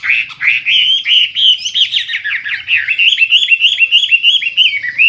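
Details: Wambi, the Hwamei, in gacor full isian form with a strong, clean voice: nonstop rapid warbling, dense rippling whistled notes packed closely together throughout.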